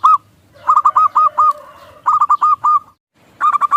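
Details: Lure song of a local zebra dove, meant to make birds coo: brisk phrases of bubbly, hooked coos, with a soft, steady lower tone running beneath the first phrase.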